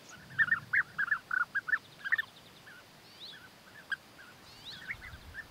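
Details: European bee-eater courtship, the male feeding the female gifts of food; a quick burst of rolling, burry calls that slows into scattered single notes.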